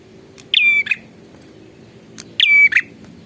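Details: Two loud phrases from a spirited prinia about two seconds apart, each a harsh buzz, a thin sustained whistle and a rasping finish. Soft ticks come before each phrase over a low steady hum.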